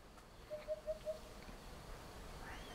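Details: Eurasian hoopoe in Chieri, Turin province, Piedmont, Italy: one phrase of four soft, hollow, low 'oop' notes evenly spaced about a fifth of a second apart, over a quiet outdoor background.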